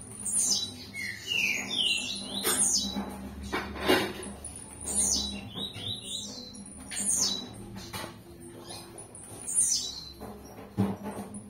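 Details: Blue-black grassquit (Volatinia jacarina), campainha song.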